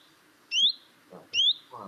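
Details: A common chiffchaff gives its winter contact call from bushes in a garden: two clear, rising 'hweet' notes a little under a second apart, with a person's voice faint in the background.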